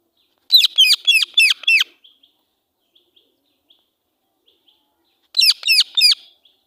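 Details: Angry call of a female Indian ringneck parakeet: a loud burst of five sharp, ringing, downslurred screeches in quick succession, a few seconds of silence, then a second burst of four.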